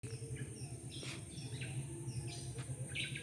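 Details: Lively morning chorus of many birds in a residential neighbourhood, heard instead of roosters crowing: scattered bright chirps and short twittering phrases overlap, over a steady high whine and a low continuous hum.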